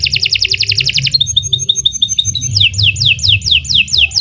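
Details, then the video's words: Canary song in a long, continuous master recording for training birds: fast trilled phrases of repeated high notes, a rapid buzzy roll, then a series of descending whistled slurs, over a low background hum. "Kicau Burung Kenari 106 II GACOR PANJANG Cocok untuk Masteran Super"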